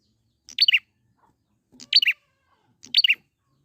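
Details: Wild prinia lure recording to draw out song: a short, sharp phrase of three or four falling chirps repeats three times, roughly every 1.2 seconds, in near silence.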